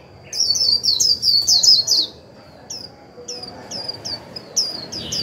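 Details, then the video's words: Japanese white-eye used as a decoy, its 'líu' warbling meant to provoke newly caught birds into song: a rapid two-second run of high chirps, then spaced single sharp notes quickening toward the end, with a faint steady whine behind. "Khuyên mồi líu vừa phải kích bổi líu ngay!"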